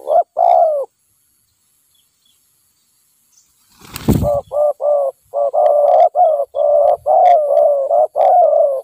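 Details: A wild spotted dove, lured with a decoy bird during trapping, gives a couple of mellow coos, then after a soft thump a quick run of about ten short, hollow, even-pitched coos.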